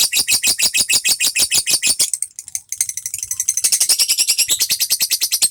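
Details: Fighter lovebird in full voice, trained with the untulan system: rapid, harsh buzzing chatter in steady pulses, a brief pause, then a quicker, denser run of scratchy high notes.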